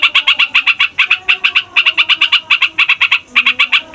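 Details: Fighter yellow-vented bulbul rolling at length to provoke other songbirds: quick bright notes in groups of three to six, separated by short pauses, over faint low tonal sounds.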